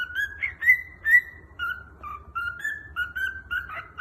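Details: A cockatiel whistles a learned "Peekaboo" tune in clear, sliding notes with a few chirps mixed in.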